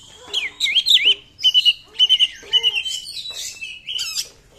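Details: Oriental magpie-robin 'nembak' song, used to provoke silent magpie-robins: rolling looped whistles, then evenly spaced groups of three clear ringing notes, ending in a few buzzy high chirps.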